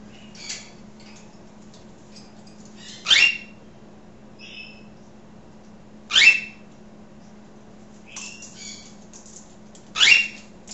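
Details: Pet African grey parrot having a conversation: three loud harsh squawks about three seconds apart, between softer whistled and chattering notes, over a steady low hum.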